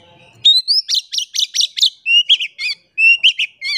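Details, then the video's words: Oriental magpie-robin in energetic song, used as a lure to make silent birds sing: clear rising whistles followed by rapid bursts of repeated sharp, buzzy high notes in quick series. "PANCINGAN KACER GACOR. KACER DIAM MALAS BUNYI COBA PANCNG DENGAN KACER INI"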